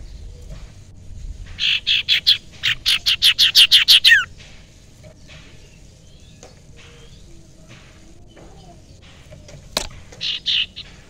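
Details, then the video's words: Young wild common iora from the forest, recorded for use as a lure: a fast chattering run of about ten sharp, high notes ending in a downward slur, then a short burst of similar notes near the end. "cipoh sirtu muda hutan pancingan sirtu sirpu cipoh ampuh"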